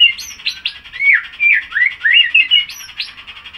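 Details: Male white-rumped shama about six months old, tail moult just finished and now singing steadily, gives a rich, varied run of whistled and slurred phrases, rising and falling quickly, with sharp high notes among fluty warbles.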